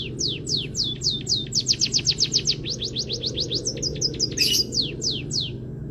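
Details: For training other songbirds, a white-headed munia sings canary filling: spaced falling whistles building into a fast rattling trill, then short high chips and a brief noisy burst, ending with slower downslurs above a low hum.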